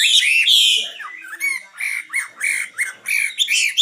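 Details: Common nightingale singing a varied phrase: a rich, harsh churring note at first, then a run of short, rising and falling chirps repeated several times a second, each with strong overtones.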